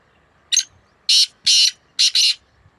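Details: Black francolin counter-calling with another bird, recorded 2 May 2024: a grating phrase of a brief opening note, two long harsh notes and a quick double, with faint low rustling beneath.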